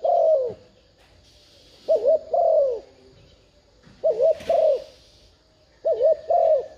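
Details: Decoy spotted dove cooing 'thúc gù' to entice wild birds: low mellow phrases of a two-pulse wobble and a sliding downward coo, repeated roughly every two seconds, four phrases in all.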